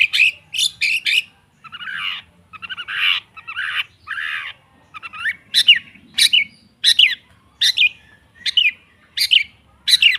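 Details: ['Long-tailed shrike lure song for a bird that will not sing: harsh scratchy phrases at first, then a regular series of sharp, high downslurred notes about every half second.']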